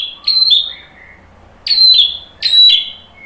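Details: White-rumped shama song meant to provoke fighter males: three loud, piercing, downward-sliding notes spaced roughly a second apart, with faint soft whistles between them.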